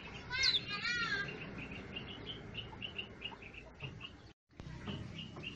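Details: Birds perching in garden shrubs and trees sing: a loud, buzzy chirp opens, then a quick series of high, short, repeated notes, about two every second.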